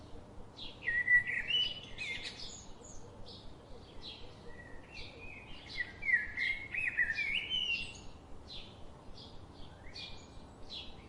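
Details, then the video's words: Garden birds that come daily giving a lively run of rapid twittering chirps, loudest in the middle and later seconds, mixed with sharp short notes over steady hiss. "The chirping sound of these daily visiting birds.. makes my day"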